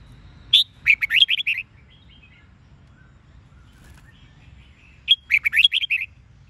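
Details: Red-whiskered bulbul singing a 'Sông Kôn' training phrase with double twisted notes: two bursts of rapid, liquid warbling several seconds apart, quiet background between.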